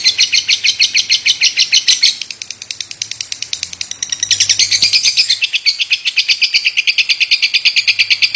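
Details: Continuous coughing calls from a lovebird, repeated without pause: dry, scratchy, ratchet-like chirps in a fast even stream, briefly softer in the middle before growing louder again.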